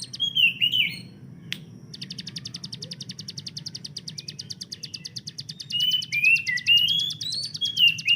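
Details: Master-bird hill prinia with its machine-gun-like burst, likened to an AK-47: whistled slurs, then a long run of rapid clicking notes, closing with rising and falling whistles.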